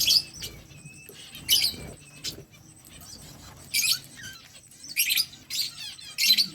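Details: Pet budgerigars chirping to one another: bursts of high, busy, scratchy chatter and short warbles separated by quieter gaps, with a soft low background hum.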